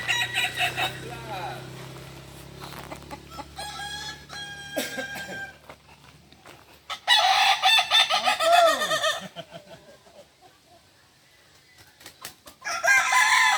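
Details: At a group training session in Ampang Kualo, Solok city, a Kukuak Balenggek chicken crows in separate bursts of stacked, ringing notes with quiet gaps between, one arching drawn-out note near the middle, and clatter in the background.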